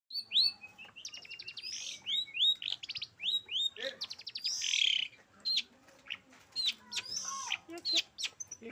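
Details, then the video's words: Long-tailed shrike in lively, full song: a fast, varied medley of sharp whistled upslurs, buzzy chattering bursts and rapid trills, changing phrase every fraction of a second with little pause; no other sounds stand out. "suara burung pentet/cendet gacor"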